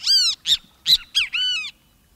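A Great Kiskadee gives five loud, harsh, nasal notes in quick succession, the last one drawn out and slightly falling. No other sounds.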